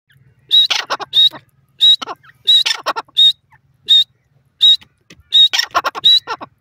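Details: Grey francolin, also called teetar, calling: a clear high whistled note followed by a few harsh clipped notes, the phrase repeated about every second over a faint low hum.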